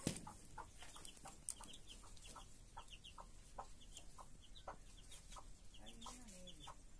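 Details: Chicks peep with many short, high, downslurred notes alongside their mother, a broody hen whose soft clucks pulse at intervals. A drawn-out, wavering lower call comes near the end.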